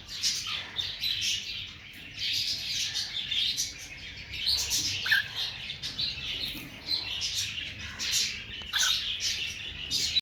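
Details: Upset over the loss of her two young, a female cockatiel keeps up a steady stream of rough, buzzy squawks and sharp chirps, with barely a pause throughout.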